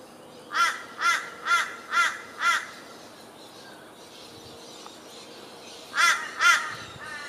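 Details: Grey Butcherbird at Kenmore, Brisbane, Queensland, on 9 December 2015, giving harsh, raspy notes, five in quick series about twice a second, then a pause and two more; a Torresian crow also calls.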